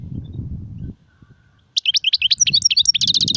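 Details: European goldfinch singing, in the sarfati and guezrati song styles: after a quiet start, a fast, high, twittering run of short sliding notes and trills, with a low rumbling hum underneath throughout.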